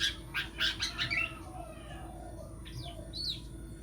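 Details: Long-tailed shrike, a champion-candidate songbird, opening with a fast burst of sharp chattering and squeaky notes, then a few softer whistled slurs, over a low constant hum.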